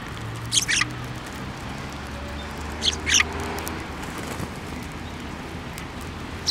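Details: Sparrows coming to a hand to take food at a Tenmangu shrine on 15 December 2023. Two bright chirping bursts about two and a half seconds apart, a third at the very end, with a low droning hum underneath.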